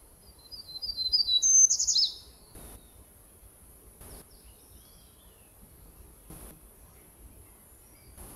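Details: Black-throated gray warbler in the canopy of Coast Range foothill forest in spring, a song type easily confused with the hermit warbler: one short, high, buzzy phrase of quick notes ending in a sharper burst, then quiet with faint clicks.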